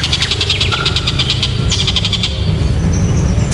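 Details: Tengkek buto kingfisher, said to sound very loud and sharp: a quick series of rasping repeated pulses fading out after about two seconds, a short clear whistle early on, and a heavy low humming background throughout.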